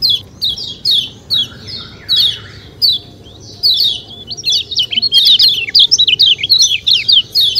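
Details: Kecial kuning white-eye, outdoor 'ciak ciak' calls: spaced falling high chirps with a softer lower warble early on, building into an unbroken fast twittering string of wavering high notes for the last three seconds.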